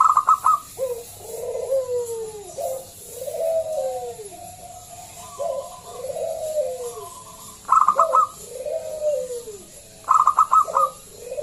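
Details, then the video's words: Loud local zebra dove used as a lure recording to prompt other doves to sing. Phrases repeat: clipped rapid high stutters followed by several soft falling coos, looping over and over. "Pancingan Perkutut lokal SUARA BESAR"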